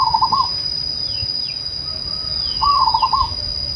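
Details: Zebra dove gives two short bursts of rolling, trilled cooing at a mid pitch. A steady high electrical whine and low rumbling background noise run throughout.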